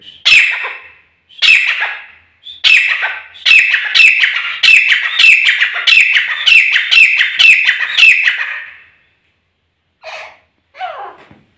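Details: Pair of desi grey francolins calling, a loud ringing series of harsh, repeated notes accelerating into a rapid rhythmic chorus about twice per second, then stopping, followed by two brief downward calls.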